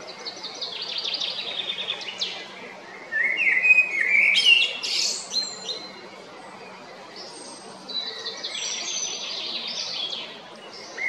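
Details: Male Eurasian blackbird singing on 22 April 2021 at Jarun in Zagreb, Croatia: bright chirping and twittering phrases, loudest in a burst near the middle, with a later quieter phrase over steady low background noise.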